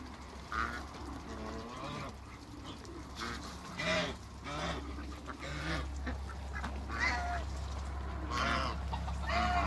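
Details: Three farm African geese calling irregularly: uneven, harsh honks spread through the recording, with a broad low rumble that grows louder toward the end.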